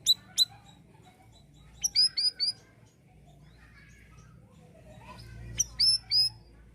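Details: Siri-siri bird singing actively, used as a tutor recording for other songbirds: two sharp high chirps, then after a pause bursts of bright whistled notes in quick clusters, repeated near the end, over a faint low hum.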